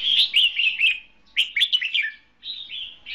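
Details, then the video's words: Red-whiskered bulbul used as a decoy in a trap, singing in a duel: loud warbled phrases of rich fluty notes around mid-high pitch, two bursts then a shorter rising-falling phrase, clear with little background. "Bẫy đấu chào mào cực đẹp, hót cực hay"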